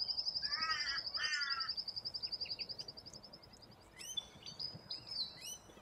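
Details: Corella cockatoos in a large flock in Australia, feeding from root grass. Two harsh, banded screeches open the recording. A fast, steady high ticking trill runs beneath them, and thin rising chirps from other birds follow later.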